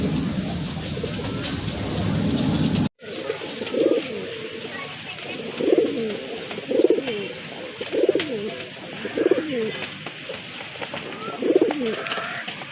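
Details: Pigeons from a collection of local and foreign breeds kept for sale at a farm in Kashimpur, Gazipur, Bangladesh: low cooing phrases repeated about every second and a half over steady background hiss, with an abrupt cut near the start.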